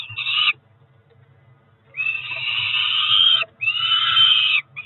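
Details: Peregrine falcon chicks, two ringed siblings about four weeks old at Cromer in June 2023, wailing for food: a short scream, a second of quiet, then two long rasping cries over a low hum.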